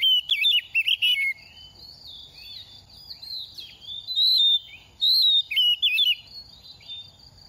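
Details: Oriental magpie-robin singing in moult, a semi-mature bird that sings freely: two bouts of fast twisting whistled notes separated by gentler sliding whistles, with soft high notes and a thin steady tone between phrases.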